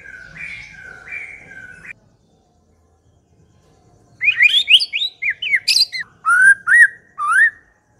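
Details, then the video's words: White-rumped shama song used as a lure for other shamas: a low rapid trill, then a loud varied burst of whistled and buzzy notes with sharp upslurs around mid pitch and high harsh chips, after a short silence. "80% COCOK untuk memikat murai batu AGAR LANGSUNG NYAUT dan GACOR"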